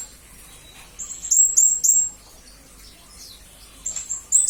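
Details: Three bright, very high chirps from a blue-crowned hanging parrot (serindit), a tutor recording for murai and kacer, followed by quiet and a couple of faint closing notes.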